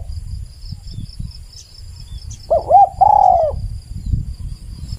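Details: Spotted dove giving a single cooing phrase, two quick looped notes then a drawn-out falling coo, over steady low background rumble and a thin high insect drone.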